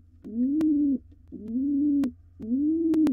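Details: Courting male pigeon, wild, calling to the female inside a nest box shared with nearly fledged nestlings: three deep, rolling coos, each swelling and lasting almost a second, with brief sharp taps.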